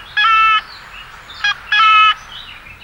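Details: Common raven uttering two drawn-out, ringing nasal calls separated by a brief clipped note, clear against a quiet background.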